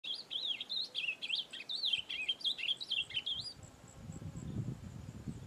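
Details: Ultramarine grosbeak singing in nature: a varied warbled phrase of rich, looping whistled notes for about three and a half seconds, then low rumbling background noise.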